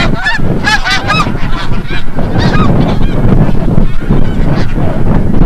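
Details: Honking snow geese coming in from the bay at sunset, Forsythe National Wildlife Refuge, Oceanville, New Jersey; a burst of loud, clustered upslurred honks early, then fainter calls fade into a heavy low background rumble.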